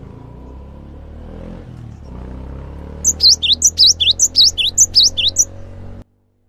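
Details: Lively cinereous tit song used to lure other gelatik into singing along. Three seconds of low rumbling hum come first, then a quick burst of high, bright notes, each with a swooping dip, repeated about twice per second.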